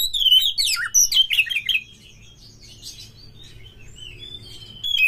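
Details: Kacer, the Oriental magpie-robin, on a lure track meant to raise excitement and fighting song: nearly two seconds of rich, fast, varied whistles and twitters, then softer scattered high chirps and a closing whistle.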